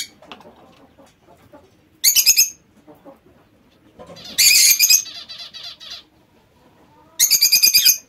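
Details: Aviary lovebirds giving loud, rasping screeches in rapid pulsed bursts, several sharp notes per second, with a long intense harsh outburst mid-way and softer chatter between bursts.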